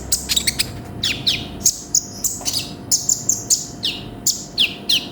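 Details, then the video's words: Sunbird (konin) singing with varied song inserts, recorded as a training recording: quick high chips and steep downward-sliding notes in irregular clusters, with a faint hum in the background. "MASTERAN BURUNG KONIN GACOR FULL ISIAN"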